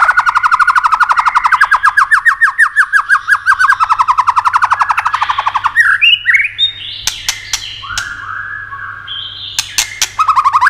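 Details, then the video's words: A white-rumped shama, recorded to excite other shamas, gives a long fast trill of repeated notes, several per second for about six seconds, then varied rising whistles cut by sharp clicks. "Âm Kích Thích Cực Nhạy.chòe lửa đập tạch kích bổi cực sung.kích chòe lửa yếu lửa.chòe lửa tạch đập"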